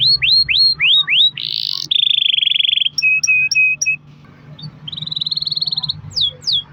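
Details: Canary song played to prompt other canaries to sing: loud varied phrases of rapid upslurred notes, a long buzzy rolling trill, repeated clipped chips and a fast steady trill, with a faint low hum beneath.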